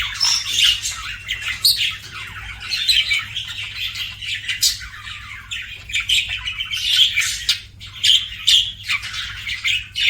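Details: Budgerigar chirping nonstop with bright whistled pips and buzzy scratchy warbles, a few clear high tweets standing out above the dense chatter.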